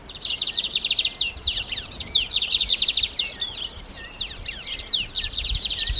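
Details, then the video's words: Lined seedeater delivering a sustained jumble of rapid high trills, upward and downward slurred whistles and squeaky twitters, almost without pause for six seconds. "CANTO DO BIGODINHO"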